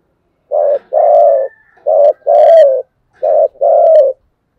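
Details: Spotted dove cooing continuously, repeating a paired phrase three times, each a short low coo then a longer hoarse one, evenly spaced about every second and a half.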